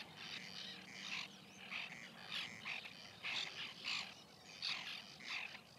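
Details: Rasping, repeated calls of nesting white-winged terns, recorded in 2021 in a colony, come in choppy bursts, roughly one or two each second, from more than one bird.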